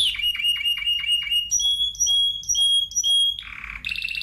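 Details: Song of a Spanish timbrado canary: a row of evenly repeated clipped notes, then pure whistled tones each opening with a quick upward slide, ending in a low buzzy roll and a higher trill.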